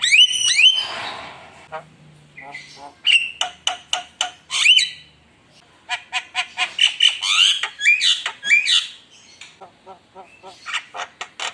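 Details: Javan myna singing actively, used as a lure to provoke rival birds: harsh squawks and rising whistled notes mixed with rapid clicking strokes in fast bursts, with short pauses between phrases.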